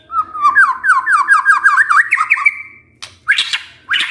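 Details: Lure song of a white-rumped shama, played to get a lazy male singing. A fast run of chattering, slurred notes climbs steadily in pitch, then breaks off into a pause and two short harsh calls.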